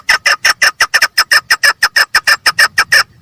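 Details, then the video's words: Steady rapid series of loud, harsh clucking notes from a female chukar partridge, about three per second, continuing evenly for three seconds. "female partridge voice|mada chakor ki awaz|keklik sesli"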